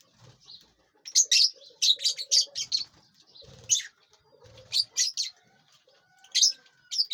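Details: Lovebirds eating and flying inside a large aviary; dense volleys of high, scratchy chirps, several birds calling close together, with soft flapping and rustle between the bursts.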